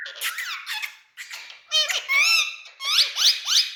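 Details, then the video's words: Parrot in India, described among talking parrots, giving a fast, varied stream of screechy, harmonic squawks and bent chattering notes in rapid bursts. "Talking Parrots"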